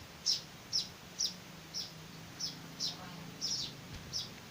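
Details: Young weaver nestlings begging while hand-fed: sharp, high-pitched chirps repeated about twice a second against a quiet background hiss.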